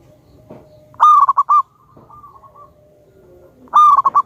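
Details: Loud local zebra dove of wild stock, kept as a lure to set other doves singing, gives a resonant phrase of one long coo and a rapid stutter of short notes, repeated about three seconds later, with soft low coos between.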